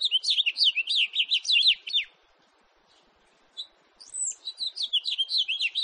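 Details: A house finch delivers a rapid twittering warble, stops for about two seconds with one isolated chirp, then starts another bright slurred phrase.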